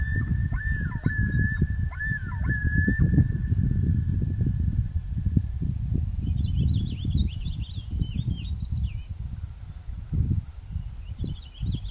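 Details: On Big Donahue Lake, a common loon gives a sustained clear tone with repeated quick downward dips over the first three seconds. Twittering songbird notes follow later, over heavy low wind rumble.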